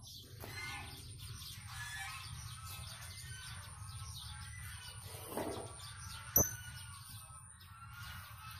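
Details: Blue-crowned hanging parrot singing actively: a steady stream of thin, high, rapid chirps and short ticks running throughout, over a constant low rumbling hum, with one sharp click near the end.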